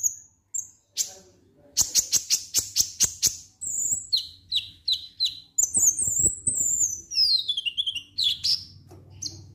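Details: Konin lovebird ngek-ngek song used to stir birds into singing: a long, varied run of sharp high chirps, a quick burst of rapid ticking notes, then descending whistled squeaks and scratchy trills.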